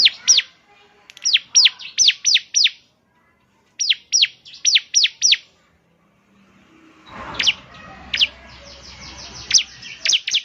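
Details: Ciblek semi (bar-winged prinia) singing, used to stimulate another bird: clusters of sharp, falling high chips in quick groups with pauses, then scattered notes over a rising rumble of background noise.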